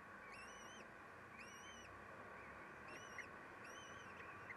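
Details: Common kestrels at the nest during the midday feeding, with the male stealing: four evenly spaced, arched whining calls, each about a third of a second, over constant background hiss.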